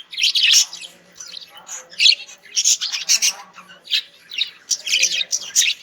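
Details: Pet budgerigars, described as in love, chatter in bright, scratchy bursts of high warbles and chirps.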